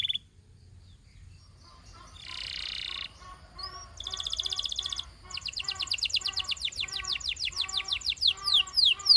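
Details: Belgian canary delivering its song: a raspy buzz, a dense rapid trill, and then a long rolling sequence of upward-sweeping notes that becomes louder and more emphatic near the end.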